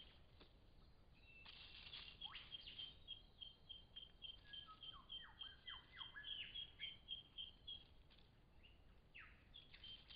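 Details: Lyrebird in Cape Liptrap Coastal Park gives a varied stream of high sweeping whistles, a run of short pips and falling slurred notes, heard fairly distantly against steady hissing background noise.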